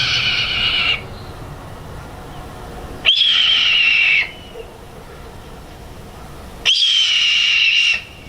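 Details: Red-tailed Hawk giving three harsh, hoarse, drawn-out screams about a second long each, slightly descending, spaced roughly three seconds apart with quiet gaps between.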